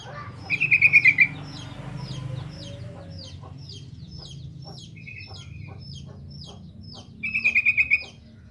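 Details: Vigorous sooty-headed bulbul song for prompting beginner bulbuls to reply: a quick bubbly phrase of about seven notes, a long stretch of busy sharp chirping from other birds, then a second similar bubbly phrase.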